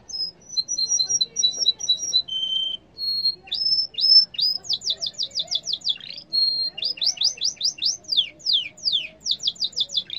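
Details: {'caption': 'A yellow canary sings a varied phrase of paired chirps, a low whistle, then repeated rising notes and rapid downward-sweeping trills.'}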